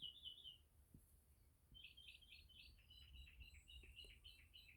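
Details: Grackle heard at a rural country home with a mockingbird singing in the background; a series of short squeaky, buzzy chirps repeated rapidly over faint low rumble.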